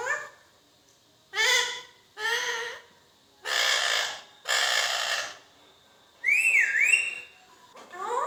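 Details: Indian ringneck parakeet that talks and whistles. Speech-like harmonic syllables and harsher broad bursts in separate phrases, then a smooth wavering whistle rising and falling twice, and a rising note at the end.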